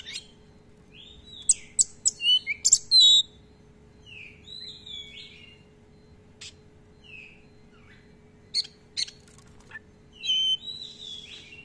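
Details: Oriental magpie-robin giving active song with long rolls and many filler phrases, recorded to provoke and tutor other magpie-robins: scattered high whistled slurs and sharp clicks in loose bursts with quiet gaps, plus a faint steady hum.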